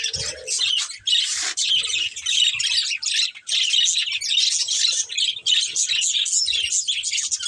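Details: Several pet budgerigars kept as a family group chirping and chattering continuously; dense high warbles and squawky notes overlap throughout, with a brief lower squawk near the start and light thumps beneath.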